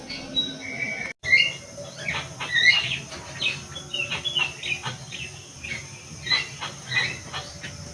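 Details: Bar-winged prinia, a bird described as now rare, kept in an aviary; short sharp chirps and chips repeated irregularly about every second or so, against a steady low hum with a brief dropout near the start.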